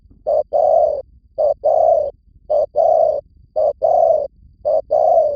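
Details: Vietnamese lure recording of a spotted dove: five rhythmic short-long coo pairs, mellow and low, the long note gently falling, spaced about a second apart with near silence between.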